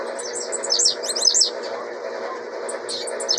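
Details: Blue-black grassquit youngster, noted as singing around 26 times a minute, delivers a run of rapid, high, scratchy buzzy notes, then quieter trailing chirps, with a steady humming background.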